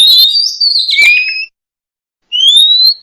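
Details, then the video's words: Oriental magpie-robin (murai kampung) song of loud sustained whistles, a long slightly wavering note then a falling slur, a pause, and a clear rising whistle. "Suara Burung Murai Kampung/Murai Cacing"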